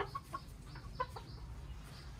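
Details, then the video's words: Hens and a single cockerel in a coop, eating their food while others chase and peck. Several sharp, bright clucks in rapid succession open the moment, then quieter scattered notes trail off against a low rumble. "chicken cock a doodle do"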